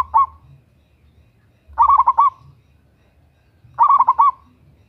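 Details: Female zebra dove calling to a male, used to lure other birds: short rippling phrases of four or five rapid coo notes, repeated roughly every two seconds against quiet background with a faint low rumble.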